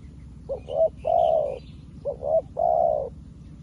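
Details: New decoy spotted dove calling out to wild doves: two phrases, each a pair of short hollow notes followed by one sustained cooing note, delivered back to back, with soft distant chirping above.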